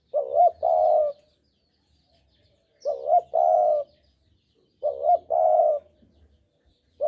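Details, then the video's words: Javan spotted dove used as a lure for trapping birds, giving three cooing phrases about two seconds apart, each a short wavering note followed by a longer, steady mellow coo, in a quiet setting. "Pancingan Derkuku Jawa"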